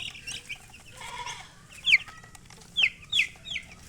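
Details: Chicks chirping amid background noise: a few loud sharp downward-slurred peeps near the end, earlier softer cheeping and a brief lower murmuring call.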